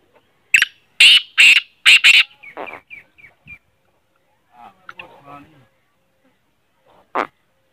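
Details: Harsh, grating black francolin call meant to start a silent kept francolin calling: a fast phrase of loud rasping notes trailing into softer clipped notes, then quiet rustling and one sharp final note.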